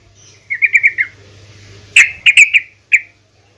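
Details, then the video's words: Female yellow-vented bulbul calling a male, used to make bulbuls sing: a short quick cluster of four chirps, a pause, then several sharper, louder chirps and one final note, in an otherwise quiet background. "PANCINGAN TRUCUKAN BETINA MEMANGGIL TRUCUKAN JANTAN"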